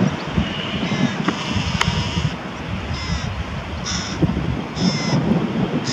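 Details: Carrion crow with prey feeding young, Diemerbos area, 22 July 2020: several rasping calls, faint at first and stronger toward the end, against low rumbling background noise.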